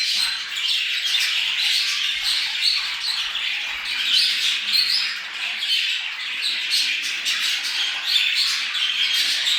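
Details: Budgerigars in breeding-stimulation chorus: nonstop rapid warbling, chirps and raspy squawks blending into one busy stream of high sound, fairly even in loudness.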